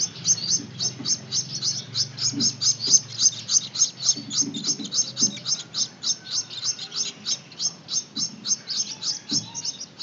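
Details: Young Gouldian finches begging while being hand-fed, repeating sharp high-pitched chirps in quick succession, near three or four a second, with faint low knocks now and then.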